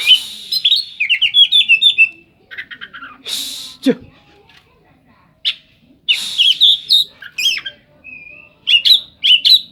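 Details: Oriental magpie-robin delivering a full isian song, with mimicry likened to the cetdet bird. A rapid string of sharp descending whistles gives way to rattling bursts, a harsh rasp, then varied chips and slurred whistles.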